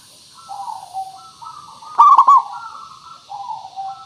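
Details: Zebra dove song played as a lure to make birds sing; one loud rolling cooing burst in the middle, surrounded by quieter, drawn-out cooing phrases.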